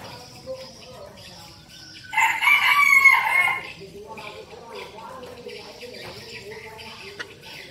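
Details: Decoy red junglefowl crowing: one loud, harsh, harmonic-rich crow lasting about a second, rising then falling, in the middle of the recording, with faint chirps and rustling before and after.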